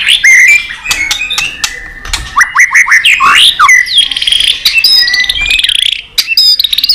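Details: Competitive singing by a white-rumped shama, tail-flicking and highly aroused: loud whistled phrases, swooping slurs and rattling trills mixed with hard clicking notes in a rich, fast medley.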